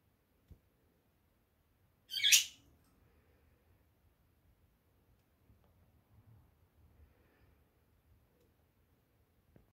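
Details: A pet budgerigar chick, kept with its mother and recorded on 17 June, gives a single harsh, raspy squawk lasting under half a second; the rest is near silence in a quiet room.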